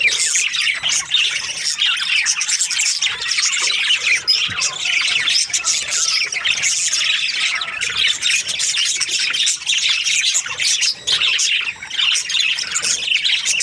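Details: Several Australian budgies chattering during breeding season: continuous high, scratchy warbles and squeaks layered into a busy flock chorus.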